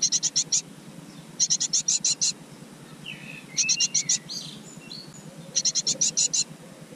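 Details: Great tit with its young in a garden nest box calling in quick bursts of five or six high, sharp notes, each burst about two seconds apart, with softer chirps between and a low background hum.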